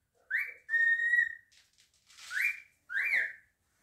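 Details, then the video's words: Pet cockatiel giving clear whistles: a short rising note, a long level tone, then two more upslurred whistles, the last rising and falling like a wolf whistle. A person says a brief greeting afterwards. "Cockatiel whistling, wolf whistle"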